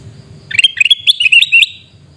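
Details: Calling sooty-headed bulbul in Reului, Aceh: a lively chattering burst of about a dozen sharp, high chirps rising and falling in quick, uneven succession, then silence apart from a low hum.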